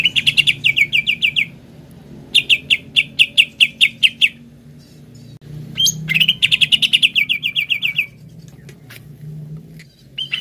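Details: Greater green leafbird, played to stimulate a kept bird to sing: bursts of rapid, clear whistled notes repeated about every quarter second, each phrase lasting one to two seconds, separated by pauses with faint low hum.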